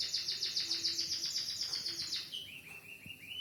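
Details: White-headed munia with a canary-style song: a fast, even trill of high notes for two seconds, then a few lower, rising slurred whistles over soft background hiss.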